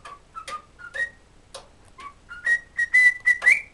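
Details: Pet cockatiel in a good mood singing a whistled tune taught by its owner, the children's song "Kotori no Uta": a series of short pure whistled notes stepping between low and higher pitches, ending in clear repeated higher whistles.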